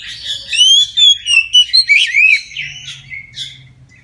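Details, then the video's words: Singing Oriental magpie-robin at midday, full song meant to make other magpie-robins sing: loud sweet descending whistles and buzzy notes repeated rapidly over two and a half seconds, then softer fading phrases. "KACER NGEPLONG SIANG HARI COCOK UNTUK PANCINGAN KACER AGAR NGEPLONG DAN RAJIN BUNYI"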